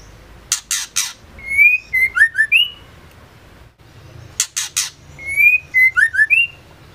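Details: Female white-rumped shama (murai batu betina), used to provoke male shamas into singing: three harsh rasping notes, then five clear whistled slurred notes that rise and fall. The pattern repeats about four seconds later.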